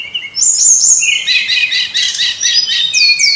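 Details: Noisy brown-chested jungle flycatcher singing, used as a lure to make birds sing: a high clear whistle at first, then a dense burst of rapid warbled notes and trills, ending in two downward-sweeping whistles.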